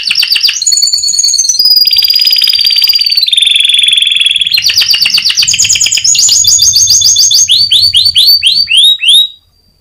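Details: Champion contest canary (Serinus canaria), 2022, whose song serves as a training master for other birds: a continuous, loud, varied song of rapid buzzing rolls, drawn-out whistles and quick repeated arching notes, stopping abruptly near the end.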